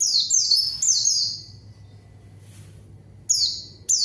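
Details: White-eye calling back at a rival with quick, high, downward-slurred chirps in short bursts, then a quiet pause before brief renewed notes.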